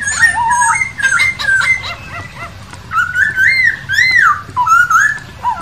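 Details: Masked laughingthrush heard in the wild, giving a lively stream of loud whistled notes, many swooping up then dropping, in quick uneven succession with brief gaps and a harsh-edged texture.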